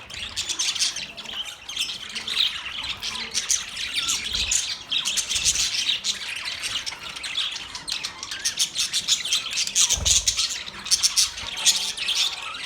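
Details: Long run of pet budgerigar chirping, a fast, bubbly chatter of high squeaky notes and buzzy rasps that carries on without a break, with a few low knocks underneath.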